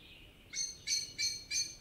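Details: Common blackbird in a Spanish forest gives a short series of four sharp, metallic notes, about three per second, after a faint thin whistle, with soft background hiss.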